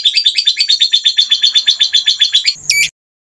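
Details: White-rumped shama rough 'shot' phrase: a rapid string of sharp, evenly spaced notes, about four a second, closed by a brief harsh upward flourish, then silence.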